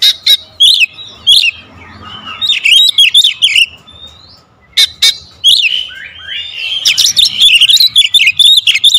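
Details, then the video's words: Magpie-robin song in the dense, rapid 'tembakan rapat' style, used as a lure: loud bright whistles and sharp chirps bursting in quick runs, a short pause near the middle, then a fast dense burst. "PANCINGAN KACER SUPER POWER TEMBAKAN RAPAT"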